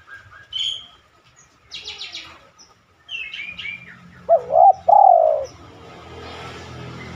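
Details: Small birds chirp brightly, then a spotted dove gives one coo phrase of two short notes and a long sliding note, from a lure recording meant to prompt other doves to coo.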